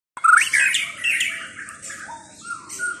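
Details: White-rumped shama of the Chao Singto line singing: a loud rising whistled note, then a run of buzzy, chattering phrases sliding up and down, fading toward the end.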